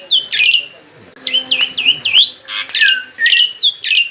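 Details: A mature captive black-winged myna sings loudly and clearly. Harsh squawks alternate with sharp, high, down-slurred whistles, bursting out in a rapid, irregular string with short pauses. A faint low hum runs underneath.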